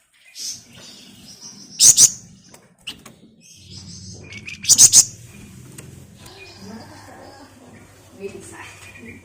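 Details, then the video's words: Flamboyan singing as a lure bird, dense nyerecet chatter: two short, loud, sharp bursts of very high rattling notes about three seconds apart, amid soft scratchy sounds and a low background hum. "Burung Flamboyan Gacor Ngebren Rapat Nyerecet Nyiul Cocok buat Pancingan"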